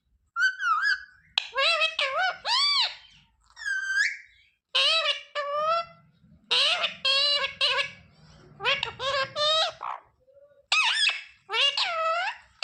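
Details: Talking ringneck parakeet repeating words, its known ones including mummy, papa and mithu; loud harsh squawky syllables with rising-falling tones in bursts of two to four, separated by short gaps, with faint low rumble midway.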